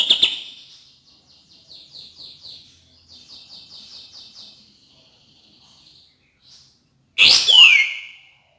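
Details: Cream-vented bulbul used as a singing stimulus for reluctant birds: an opening burst, a soft series of rapid high twittering notes, then a loud, sharp, downward-slurred call near the end.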